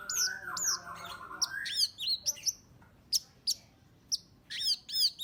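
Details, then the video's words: Orange-headed thrush singing, used to lure birds: a long low warbled note opens, followed by sharp high whistled notes and downslurred chips spaced about every half second, ending in a quick flourish. "Pancingan suara anis merah"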